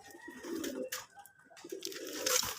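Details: Deshi pigeons of the putul golla variety utter two low throaty coos separated by a short gap, mixed with scraping, fluttering noise and faint higher squeaks.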